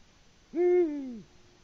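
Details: Single low hoot from a male Eurasian eagle-owl in Latvia, 6 March 2019 around 18:00, calling unanswered for a female; the note holds level, then drops in pitch as it fades, with faint background hiss.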